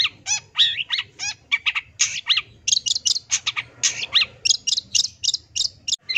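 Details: Long-tailed shrike singing a full song of mimicked fills, played as therapy for silent shrikes: fast run of harsh buzzy notes, wavering whistles and squeaky chirps, tightly packed and continuous.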